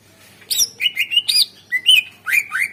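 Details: . Greater green leafbird lure song used to prompt reluctant birds into singing: a burst of high chirps, then clear whistled notes sliding up and down, delivered in quick phrases of two to three notes against a quiet background.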